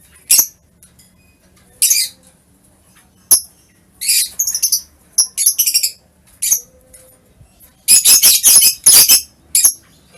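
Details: Lovebird calls recorded 21 March 2023: sharp high chirps and short scratchy chatters spaced a second or two apart, ending in a longer burst of fast rasping notes.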